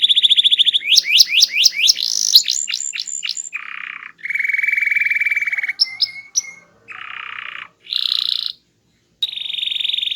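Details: Canary with a small body and loud varied song: rapid upslurred notes, clipped whistles, then separate buzzy trills and rattles broken by brief pauses.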